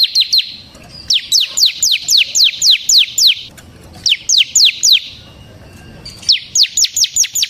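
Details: A ciblek semi, or bar-winged prinia, delivering energetic 'ngebren' song for luring and tutoring other birds: rapid series of shrill, downward-sweeping notes, about four per second, broken by short gaps.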